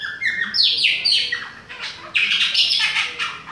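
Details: Chopi blackbird, Bahia type, with a young bird mentioned. Rapid bright notes sweep downward in quick succession, with sharp high whistles and some harsher buzzy elements.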